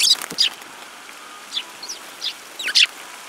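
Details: Scattered high, thin chirps from several Eurasian tree sparrows on 30 December 2017, mostly soft and spaced out, with a louder pair of notes near the start and finish.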